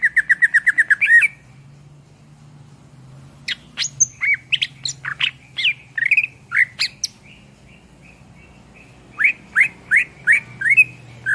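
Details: Greater green leafbird (cucak ijo), tutor song for songbirds: a rapid burst of repeated chirps, silence, a busy medley of varied whistles and squeaks, then evenly spaced rising notes, over low hum.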